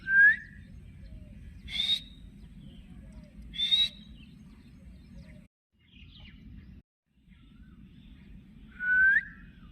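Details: A caged green ringneck parrot, which talks and says "mian mithu," gives sparse sharp calls: a rising whistle, two harsh high screeches about two seconds apart, and a final rising whistle, over a low background hum.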